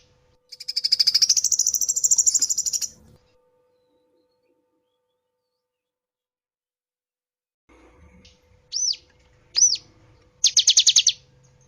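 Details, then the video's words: Cinereous tit song from a master recording for training birds: a long ringing trill, a pause, then two arched whistled notes and a short buzzy burst of rapid pulses. "suara masteran burung gelatik batu"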